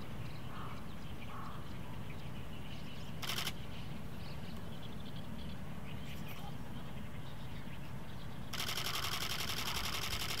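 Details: Oriental stork at Noda City's Mitsubori stork village, Japan, 24 May 2024, a parent back at the nest with two month-old chicks; affectionate bill clattering, shotgun mic. A brief dry clatter early, then a fast, sustained wooden rattle at the end over low rumble.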